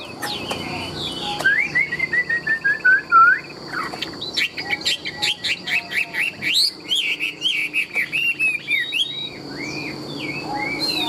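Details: Tame, large-bodied Chinese hwamei, a caged bird described as an excellent singer and a good fighter, delivers loud varied song: a run of rising slurred whistles, then rapid repeated sharp notes and looping whistled phrases, over a steady high background whine.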